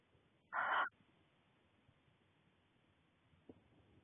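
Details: Male barn owl in a nest box in February 2020, courting his mate by bringing her freshly caught voles before laying; a single short, harsh hissing screech lasting under half a second, then quiet with a faint click later.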